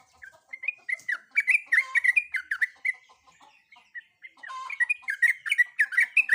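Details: Sooty-headed bulbul female, in breeding condition, calling for a male: dense, continuous bubbling chatter of slurred, up-and-down notes with short breaks and a busier, overlapping stretch toward the end.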